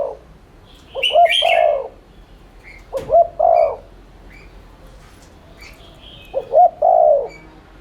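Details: Lure recording of a spotted dove in the continuous 'thúc' style meant to spur rivals into cooing: three deep phrases, each of quick stuttered notes ending in a drawn-out hollow coo, with a soft tap and distant twittering.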